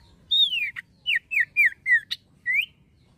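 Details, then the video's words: Song of a male common iora: a long whistle falling away, then a brisk string of four clear downward-sliding notes, a sharp click-like chip, and a final rising whistle. "CIPOH JANTAN GACORNYA KEREN"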